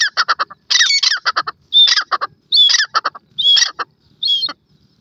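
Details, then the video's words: Grey francolin giving a rapid run of harsh clipped notes that gives way to longer, ringing squealed phrases, each rising at the end, about one per second. "partridge bird ka wonderful sound, तीर की आवाज़"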